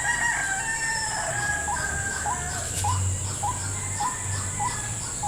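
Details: Call of a white-breasted waterhen drawn to a trap lure in a salak garden: a series of brief upward-flicking notes, roughly two per second, with a continuous shrill insect hum behind.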